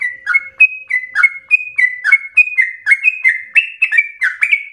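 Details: Rapid, emotional sooty-headed bulbul song for provoking and tutoring other birds: short whistled chirps leaping between two pitches, repeated quickly around three times a second, rising slightly toward the end.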